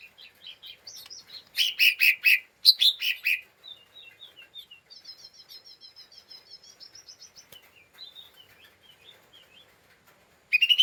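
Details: Lesser green leafbird, agitated and chattering in ngeriwik style to provoke other birds: loud harsh bursts early, then a long run of quick, soft, high twittering notes, ending with a sudden loud note.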